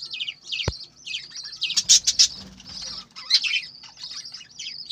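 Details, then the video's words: Chirping budgerigars in a farm flock. A steady mix of high, thin twitters and buzzy warbles runs throughout. A sharp tap comes early and a brief cluster of louder chirps sits midway. "বজিগর পাখির ডাক । পাখির কিচিরমিচির শব্দ"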